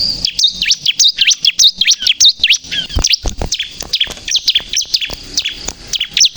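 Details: Bar-winged prinia, crystal-type singing in full voice, played as a lure for trapping and to provoke other birds into singing: dense, high, sharp chirps with quick up-and-down V-shaped notes, crowded together with barely a pause.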